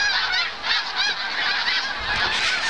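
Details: Hundreds of snow geese flying low overhead in the morning in autumn over Farnham, St-Lawrence lowlands, Quebec, migrating south to winter and seeking feeding fields: a dense, continuous chorus of high, nasal, barking honks overlapping without pause.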